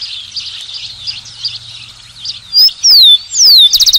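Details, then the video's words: A busy chorus of distant birds gives way to a rufous-collared sparrow singing close by: two or three pure whistles gliding downward, ending in a quick, evenly spaced trill at the close. "Tico-Tico - Uma hora de canto"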